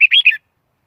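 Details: Red-whiskered bulbul lure recording for trapping wild birds: a single brief phrase of three quick warbled notes.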